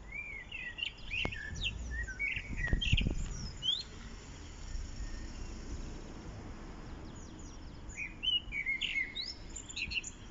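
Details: Common blackbird singing in spring on 1 April 2021 at Lanfertsweg among daffodils; clear whistled phrases at mid pitch alternate with higher twittering flourishes, phrases separated by short pauses, with low rumbling and a few sharp knocks behind.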